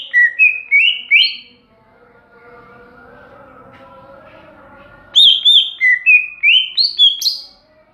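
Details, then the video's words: Greater green leafbird giving two bursts of song, each a quick chain of rising whistled notes climbing step by step, separated by a few seconds of quiet with soft low background noise. "Burung cucak ijo NGEPLONG2.."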